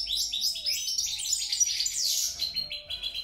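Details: European goldfinch singing: a rapid, varied twittering of high chirps and short trills with liquid notes, continuous and lively, with a faint low hum in the background.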